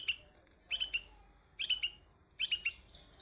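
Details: Bulbul chick on white flowers utters four crisp groups of high, quickly stuttered chirps spaced under a second apart, with near-silent background.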